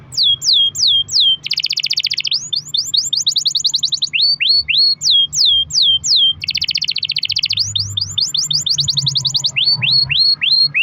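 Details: Pet canary singing long rolling song used as a lure to prompt other canaries to sing: fast downward-sweeping whistled notes in runs of four to eight, alternating with dense buzzy trills, steady low hum beneath.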